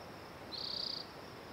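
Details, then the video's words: A Spotted Towhee sings a single high, buzzy trill lasting about half a second, steady in pitch, against faint background hiss. "Spotted Towhee Singing A Song"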